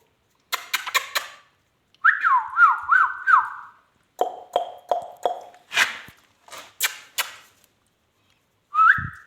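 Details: Pet rose-ringed (ringneck) parakeet talking indoors. Sharp clicks lead into a quavering whistle that wobbles up and down, then speech-like harsh syllables and raspy bursts. A short rising whistle ends the clip.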